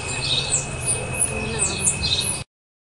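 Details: Male Black-throated Mango (Anthracothorax nigricollis) at Puerto Iguazú, Argentina, 24 October 2015, giving thin, high squeaky chips in quick irregular bursts, over a steady high whine and low background rumble.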